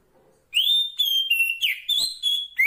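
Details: Oriental magpie-robin female of the kacer poci type calling the male in the wild: a rapid run of loud, ringing whistles, some steady, some rising or dipping, with a short harsh note in the middle.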